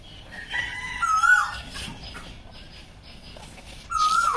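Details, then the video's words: Asian koel in spring, calling early in the morning from a hidden perch near a bedroom window and waking the listener: clear, rising whistled notes, one early and another after about a three-second pause, over a low background hiss. "কোকিলের ডাকে সকালবেলা ঘুম ভাঙে আমার"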